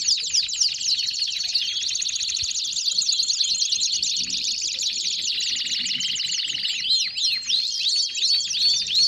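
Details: Belgian canaries in song, a long sustained high trill of rapid notes that thickens into a busy warbled passage, then ends with spaced, sweeping downslurred whistles repeated several times.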